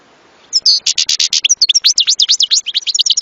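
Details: European goldfinch singing: after a brief quiet start, a fast run of bright, buzzy notes and sharp twittering slides, repeated in quick succession and high-pitched throughout, with no other sounds noticeable.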